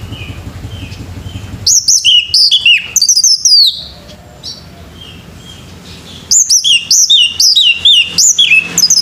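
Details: Morning singing by a male orange-headed thrush: lively runs of high, slurred whistles repeated rapidly, with a quieter stretch between two long bursts.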